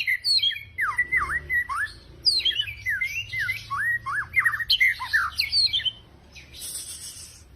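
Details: White-rumped shama song played to lure or trigger singing: loud clusters of sharply swooping whistled notes, dipping and rising, delivered in quick bursts, ending with a brief harsh rasp.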